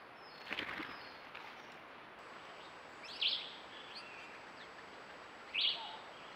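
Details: A camera trap in Costa Rica records a Groove-billed Ani giving two short, bright notes about two seconds apart over a steady background hiss, with a brief rustle near the start.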